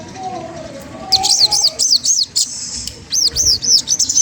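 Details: Magpie-robin song provoking a rival: after a soft lower whistle, a lively string of high, arching whistled notes repeated about three to four per second.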